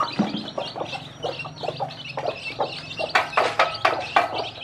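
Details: Broody hen with her many baby chicks, showing them how to eat; soft clucking runs early, then bursts of loud pecking clicks and chick peeps near the end over a low hum.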